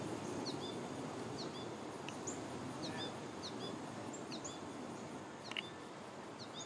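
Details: Goldfinches in a backyard giving thin, high, short downslurred notes, often in quick pairs, repeated irregularly throughout over a steady hiss of background noise.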